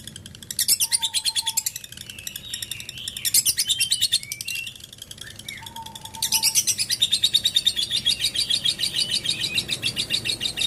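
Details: Ngekek chatter of a lovebird, delivered in bursts of fast buzzy pulses separated by short pauses and brief squeaky slurred notes, ending in a longer steady run; a faint level whistle appears twice.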